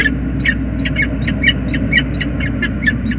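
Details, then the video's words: Peregrine falcon pair at a bridge nest on the James River Bridge, USA, on 20 February 2022. The female has just joined the waiting male for a tender meeting. Rapid harsh, chattering notes repeat about twice a second over a steady low rumble. "James River Bridge USA sokół wędrowny - Czułe spotkanie w gnieździe"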